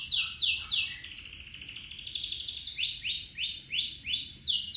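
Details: Local canary singing a lengthy roll used as a lure: rapid falling notes, a sustained buzzy trill, then a series of evenly spaced rising-and-falling whistled sweeps.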